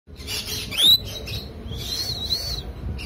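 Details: A tame red-collared lorikeet, kept in Chennai, gives two shrill, rising screeches, the first short and sharp, the second longer and drawn out, over a faint low room hum.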